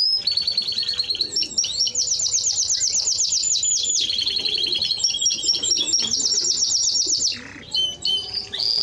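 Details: Song of a Timbrado Español canary: long runs of rapid metallic repeated notes shifting between several rolling trill types, a short break, then brief high whistles.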